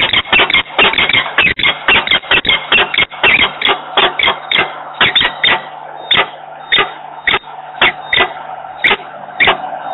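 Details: Long series of grating, insistent calls from peregrine falcons at a nest box in Włocławek, Poland, in mid-November 2022. One bird sits on the grating and its mate stays in the box. Calls come fast, then slow to evenly spaced notes.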